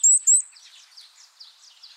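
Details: Varied tit in a backyard jujube tree in a rural area gives two thin, very high, slightly rising whistled notes in quick succession, followed by softer high chattering twitters.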